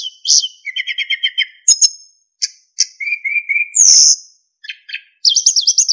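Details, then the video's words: Narcissus flycatcher tutor song of fill-in phrases and clear flute-like whistles: fast low trills, a series of level whistled notes, a loud high slurred note, ending in a rapid wavering high trill. "MASTERAN BURUNG SIKATAN EMAS GACOR FULL ISIAN & SULINGAN JERNIH"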